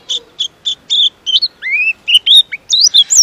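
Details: Long, fast-paced pleci (white-eye) song used as a master for training birds: a run of sharp repeated chirps followed by rising and falling whistled slurs, bright and high-pitched, continuous with short gaps.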